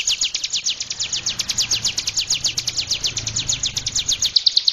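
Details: Mountain tailorbird (cigun daput) in energetic gacor song: rapid high, thin descending notes repeated in a steady rattling stream for nearly five seconds, over a faint low hum.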